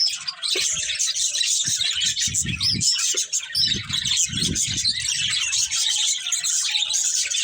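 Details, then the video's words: Budgerigars of a breeding pair giving busy high-pitched chirping and squeaky chatter, with some short whistled notes, over repeated low rustling thuds. "Cute Budgies Chirping Sounds | Love Birds Breeding Pair"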